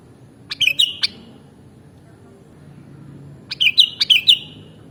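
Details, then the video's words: Sooty-headed bulbul (kutilang) singing two brief bubbly phrases about three seconds apart, each made of crisp clicks mixed with rapid, wavering whistled notes that fade out at the end, against faint low background hum. "Mastering Burung Kutilang Original"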